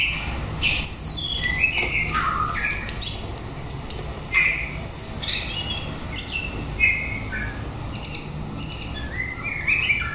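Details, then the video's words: Chocolate-coloured male white-rumped shama brought to a young female for pairing, too aggressive so she was removed; varied whistled phrases, rising and falling slurs and short bright notes over a constant low hum. "Chích chòe lửa Socola vs lửa mái tơ"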